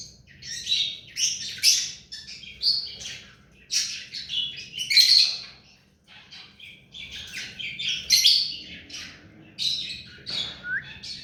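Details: Hand-tame ringneck parakeet giving a rapid run of shrill, high chirps and short squeaky notes in irregular bursts, with a brief pause midway, in a quiet setting.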